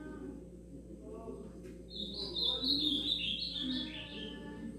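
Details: Juvenile ultramarine grosbeak (azulão) beginning to sing: a soft, rambling high warble of jumbled twittering notes lasting a few seconds, over a steady background hum and faint voices.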